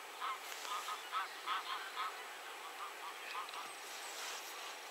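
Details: Eurasian wigeon recorded at 51.754775, 20.218078: a flock gives short whistled notes in quick overlapping bursts, loudest early and softening toward the end.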